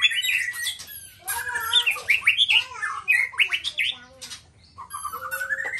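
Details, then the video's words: Nias black-tailed white-rumped shama singing loudly: rich fluting whistles, rapid slurred warbles and harsh chattering notes woven into fast, varied phrases, ending with a rising whistled note. "Murai batu ekor hitam||Nias raja"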